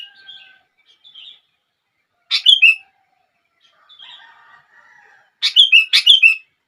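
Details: Sooty-headed bulbul singing to set off other bulbuls: faint scattered whistles, then two loud bursts of quick, slurred chirping notes about three seconds apart.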